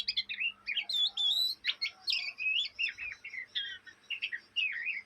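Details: Young Oriental magpie-robin (kacer), a fledgling from Indonesia, doing its ngriwik chatter, said to go on day and night: a busy run of short whistled, twisting and buzzy notes, each a fraction of a second, over a steady low hum.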